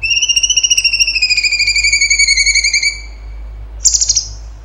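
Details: Cucak cungkok singing a lively tembakan-style song: a long, slightly falling whistled note with a fast warbling vibrato lasting about three seconds, then a short buzzy burst of notes.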